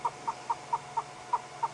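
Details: Yellow-billed hornbill calling on a hot African afternoon during a safari drive, beak open and throat fluttering; evenly spaced soft hollow clucks repeated about four times a second, over a low engine hum.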